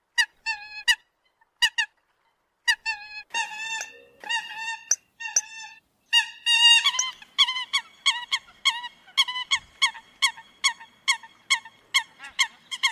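Eurasian coot giving short, nasal, honking notes with a bright metallic ring. They start scattered, then settle into a steady run of about two a second.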